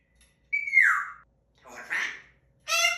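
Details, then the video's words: Pet talking African grey parrot going through puberty, mating season and the terrible twos, with many time-outs; a falling whistled note, then a rough voice-like burst, ending in a harsh harmonic squawk, with silent gaps between. "Talking Parrot Asks to be Released"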